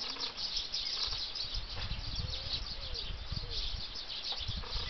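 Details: Flock of tree sparrows at feeders, Bempton Cliffs RSPB Reserve, 20 August 2011, giving busy high chirps throughout, with some lower slurred notes and low-pitched background thumps and rumble.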